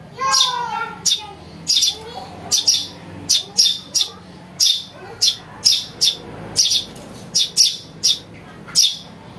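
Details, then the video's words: Sparrow chick calls played to lure birds: a fast series of harsh, high chirps in doubles and triples, with soft curving whistles from other birds early on. "Suara anak burung greja untuk mikat | masteran"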